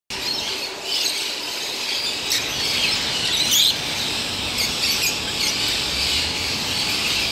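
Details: Mixed peach-faced lovebirds calling together: a dense, continuous wash of high, shrill chirps and squeaks with a few sharper squeals standing out, steady throughout with no quiet gaps.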